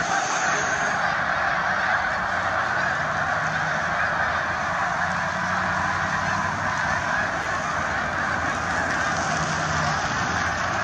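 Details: Flying snow geese give a thick, unbroken chorus of nasal honks that merge into a steady roar of many birds calling at once for the whole stretch.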